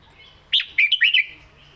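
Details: Caged red-whiskered bulbul singing a southern-style song phrase known as "เม็ดกะจี้กหก": a quick burst of four or five bright, whistled, slurred notes over about three quarters of a second, then quiet with faint low background hum.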